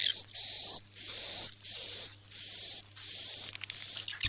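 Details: Swiftlet-house roosting sound of edible-nest swiftlets: a regular series of harsh, buzzy trills, each roughly half a second long with a faint whistled overtone, repeated about one and a half times per second over a constant low hum.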